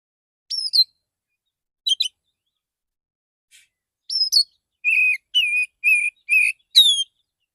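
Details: Relaxed morning song of a male Oriental magpie-robin calling fellow birds; sparse high chips and slurs at first, then a quickening series of steady whistled notes roughly twice a second.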